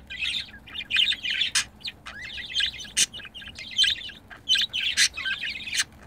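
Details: Budgerigar pair kept as pets, mating: lively scratchy warble of short squeaks and chirrups in quick clusters, punctuated by several loud sharp clicks.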